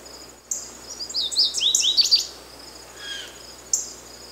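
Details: American goldfinch song: a quick run of high, twittering, sweet notes, some slurred downward, lasting about two seconds, followed by a brief lower note and a sharp high chip, over light background hiss.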